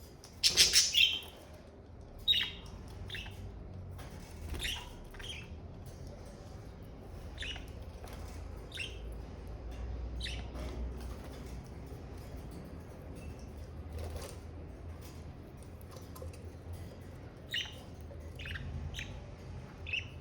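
Budgerigars give short, bright chirps and warbling notes at irregular intervals over a low background hum.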